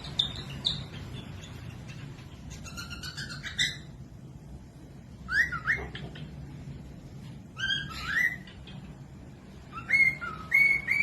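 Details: Cockatiel song used to train other birds, including lazy or young birds, to sing: bursts of harmonic rising and falling whistles and chattery notes separated by pauses, over a low background hum.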